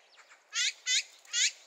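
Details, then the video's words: On 8 April 2021, an azure-winged magpie from a flock foraging at a rubbish dump gives three harsh, rasping notes, one of its four call types, each about a fifth of a second long, spaced roughly every half second, against faint hiss. "물까치 네 가지 새소리 종류 물까치 울음소리"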